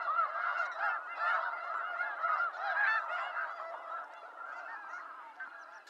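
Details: A calling snow goose flock from eastern North America: bursts of overlapping honks, louder in the first three seconds and then fading slightly as the chorus continues.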